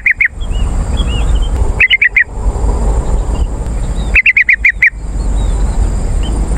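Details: Yellow-vented bulbul call for luring wild birds in woods or gardens: short clusters of four or five quick bright notes, then a longer rattling run of about seven, with faint whistled notes in between over low rumble.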